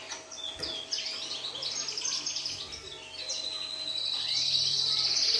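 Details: Syrian canary song of fast, high chattering trills that build into a loud, bright rolled phrase near the end, with a faint low hum underneath.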